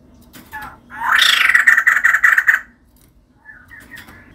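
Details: A female white-crested laughingthrush delivers a short, loud run of rapid rasping notes lasting under two seconds, framed by faint softer calls.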